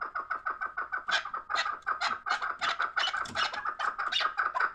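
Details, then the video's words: A fighting chukar partridge repeats chuk notes at a steady pace while louder, rougher harsh bursts overlap, suggesting a second bird or commotion. "Кабки ҷангӣ"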